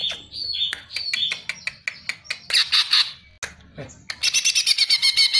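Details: Greater green leafbird, called cucak ijo, singing on a masteran training track: varied whistles and sharp clicking notes in quick succession, closing with a rhythmic, rapidly repeated bright trill.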